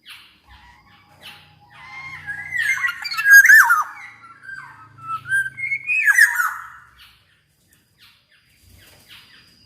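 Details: Black-naped oriole in active voice, recorded for training other orioles and luring reluctant ones into singing: a few harsh, nasal, downslurred notes cluster mid-recording, with quiet gaps before and after and a faint low hum.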